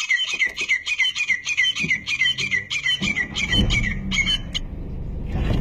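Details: Grey francolin calling in Pakistan during a hunt: rapid repeated sharp notes in a rhythmic series that breaks off midway, followed by rumbling low noise.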